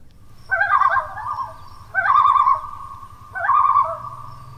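A Common Loon gives three wavering, yodel-like tremolo calls near mid pitch, each about a second long and spaced roughly every one and a half seconds, over a low background hum.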